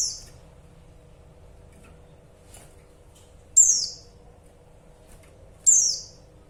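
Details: Female pleci calling the male: sharp, very high descending chirps, one faint and two loud, spaced about two seconds apart, over a steady low hum.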